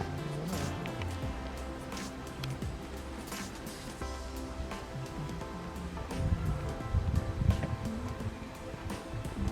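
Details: Instrumental music plays throughout with a steady low rhythm and no animal calls.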